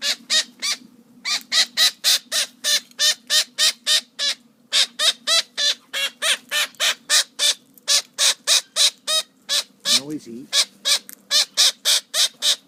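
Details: Noisy parrot giving a long series of harsh, raspy squawks, roughly three or four per second, with a few short gaps and one lower, deeper croak near the end, over a constant low background hum.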